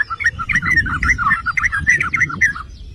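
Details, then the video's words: Trucukan, or yellow-vented bulbul, singing as a lure to set other bulbuls off: continuous run of gurgling, bouncing notes in quick succession over a low hum of background noise. "Pancingan dan Masteran Trucukan"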